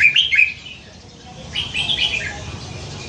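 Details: Caged red-whiskered bulbul, caught young by hand and noted for its many different songs; two short phrases of chirpy, tumbling whistles, the second longer and falling at its end, with low background noise.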